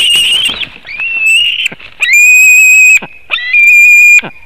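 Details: White-tailed eagles at a Latvian nest webcam at 7:06 am on 17 August 2018 scream as a fish is brought and grabbed: loud, high, thin whistled screams, each held about a second, with brief slurred squeals between.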